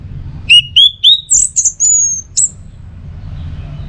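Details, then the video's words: Orange-headed thrush from North Bali giving teler song for training: three rising whistles, then higher buzzy notes and a long thin whistle, ending abruptly into quiet. "Masteran sekaligus Pancingan Burung ANIS MERAH Agar Selalu Bisa Menikmati Telernya setiap saat"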